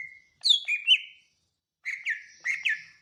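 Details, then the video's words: Greater green leafbird song: a thin steady whistle, then a falling sweep into lilting, bouncing whistled notes, pause, and two more short warbled phrases. "Kicau Cucak ijo"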